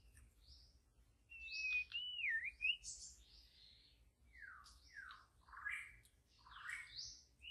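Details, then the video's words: Wild white-rumped shama in the forest singing a clear wavering whistle followed by a series of downward-slurred notes and high chips, with low background hum. "murai asli hutan belantara memang beda.!!"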